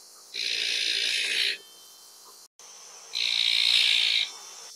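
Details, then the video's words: Azure-winged magpie calling twice with a rough, hissing rasp of about one second each, separated by a brief quiet pause. "灰喜鵲/Azure-winged Magpie"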